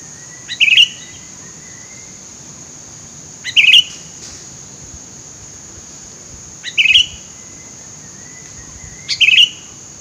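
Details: Sooty-headed bulbul calling in thick scrub, recorded while luring birds: four short bubbly whistled phrases, each a quick two-note flourish, spaced about three seconds apart over a steady thin high whine.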